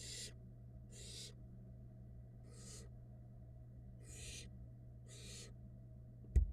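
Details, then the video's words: Downy barn owl nestlings at a Florida nest cam as the female feeds them: six scratchy, snore-like hisses roughly every second, then a sharp click at the end, over steady electrical hum. "Female barn owl feeds her little fluff ball nestlings"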